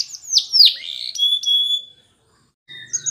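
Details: Belgian canary; song; training young canaries to sing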